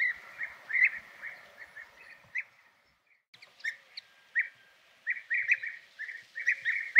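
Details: European bee-eater giving rolling, purring call notes in irregular bursts. A brief silent gap comes in the middle, then the calls resume more densely and overlap. The background is otherwise quiet.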